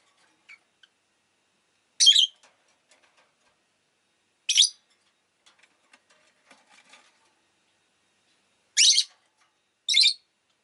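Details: Single shrill chirps from a pet rosy-faced lovebird, spaced widely: one note, another two seconds later, then two more close together near the end, with faint ticking sounds between.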